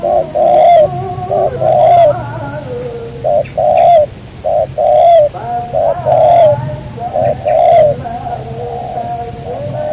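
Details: Spotted dove recorded while catching a local wild dove. It coos loudly and repeatedly in rounded, wavering phrases, with a second lower cooing voice and brief high chirps from small birds in between.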